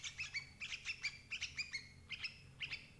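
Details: Sooty-headed bulbul lure calls for catching adult birds: quick bursts of bright, ringing, chirping notes with clear overtones, grouped in short clusters.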